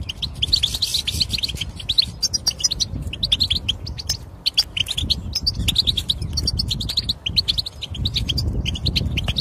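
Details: European goldfinch song aimed at getting a silent goldfinch to sing: sustained, busy twittering of high tinkling notes over a noticeable low background rumble.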